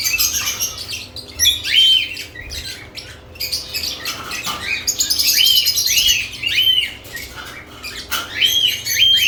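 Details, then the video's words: Chattering of lovebirds around newly added nest boxes: bright, bent chirps come in clusters, with a busy wash of high twittering between them and brief quieter gaps. "Lovebirds add nest boxes activity & chirping sounds"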